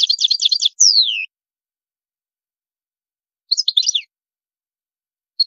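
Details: European goldfinch singing in brief bursts, described as high-toned: a quick twittering phrase ending in a long descending slur, then a gap of silence and a short tinkling flurry.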